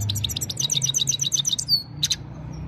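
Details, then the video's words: Himalayan goldfinch in evening song, mobile phone recording: a quick, even series of bright, tinkling chirps repeated in rhythm, followed by a thin whistle and a short double chirp. "Gold finch simple singing this is really amazing bird song"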